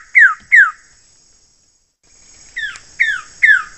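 Wilson's bird-of-paradise giving loud, harsh descending notes, two quickly paired, then after a pause three more at about half-second intervals, over a steady high hiss.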